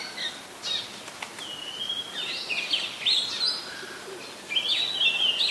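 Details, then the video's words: Singing Oriental magpie-robin, Ubon Ratchathani, Thailand: a long sliding whistle followed by fuller warbled phrases and a bright trilled passage at the end, separated by quiet spells with soft background hiss. "นกกางเขนบ้าน Oriental Magpie Robin (singing)"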